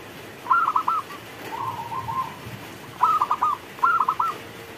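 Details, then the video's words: During rainfall a local zebra dove delivers rolling, stuttering coos, several quick notes bunched into each phrase, with phrases about one second apart and a softer trailing coo between them. "Perkutut lokal gacor Saat Turun Hujan"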